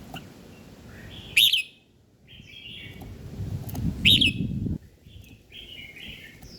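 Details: A bird in the morning gives two sharp, high chirps about three seconds apart, with softer whistled notes between them over a low background rumble.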